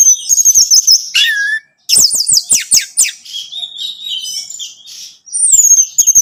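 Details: Orange-headed thrush (Geokichla citrina), a recording used to prompt a captive bird to sing: varied high whistled phrases, rapid trilled notes and sharp downward-sweeping strokes, broken by a brief silence after the first second.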